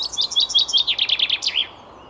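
Common Chaffinch song: a bright, quick run of repeated chipping notes that tumbles slightly lower and finishes in a sharp flourish, all within about a second and a half.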